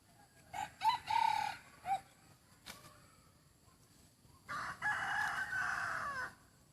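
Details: Handsome rooster said to crow very well gives two crows: a first broken into short syllables with a brief upward flick, then a second sustained, rough, harmonic crow of nearly two seconds that slopes down as it ends.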